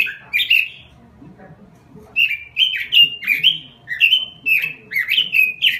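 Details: Robin song used as a lure and tutoring recording, sung continuously: a brief warbled burst, a pause, then a fast string of bright, slurred, rising-and-falling notes, each clipped and rapid.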